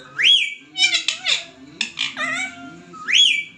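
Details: Talking pet ringneck parrot: a loud whistle rising sharply, then held steady, followed by several raspy, chattering speech-like syllables. The rising, levelling whistle returns at the end.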